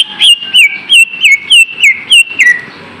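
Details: Lesser green leafbird song used as a lure for lazy cage birds: eight clear whistled notes, each dropping in pitch, repeated steadily about three times a second.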